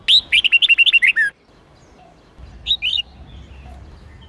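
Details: Red-whiskered bulbul of the Sông Kôn type, recorded for voice training in the 8-9-10 note song style: a fast whistled phrase of about ten bright rising-falling notes ending in a lower slur, then silence and a short two-note fragment over low hum.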